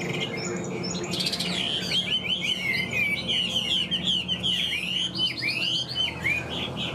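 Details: A captive Chinese hwamei, about 95% tame and recently acquired, sings loudly and richly: a fast stream of varied whistled slurs and rising and falling phrases, high and sweet, over faint room noise.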